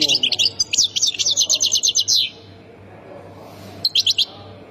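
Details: European goldfinch, Khemis Miliana style, Ain Defla province, Algeria, gives a quick run of twittering notes that ends in a rapid even trill. After a short silence, a brief burst of similar ringing notes follows.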